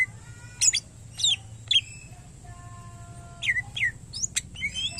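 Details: Greater green leafbird (cucak ijo) giving scattered slurred whistles and sharp chips separated by a quiet pause, with faint sustained tones and a low background hum.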